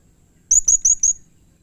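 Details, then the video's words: Blue-crowned hanging parrot in full voice, calling harshly and emotionally: four very high, thin, shrill notes in quick succession, evenly spaced, with faint low background hum. "Burung Serindit GACOR Nembak Emosi Mbeset Kasar || Bikin Serindit lain Emosi ikut Bunyi"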